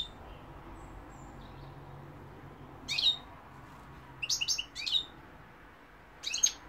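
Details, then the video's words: European goldfinch singing in short separated bursts: a high twittering phrase near three seconds, a cluster of quick liquid chirps around four and a half seconds, then one more bright burst near the end, with quiet gaps and faint background hiss. "goldfinch p throat sign 2021 مقنين الحسون"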